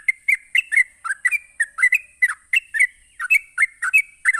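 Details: Sooty-headed bulbul singing rapid ropelan to provoke other bulbuls: a steady run of warbled, slightly buzzy chirps, each swooping between lower and higher notes, about four per second, over a faint constant high tone.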